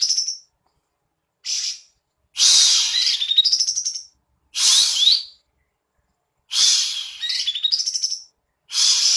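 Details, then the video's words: Cream-vented bulbul singing energetically while spreading and fanning its tail: bursts of harsh, chattering notes mixed with short rising whistles, phrases about a second long separated by brief silences, with no other sounds. "Kapas Tembak Gacor Buka Ekor Ngipas2"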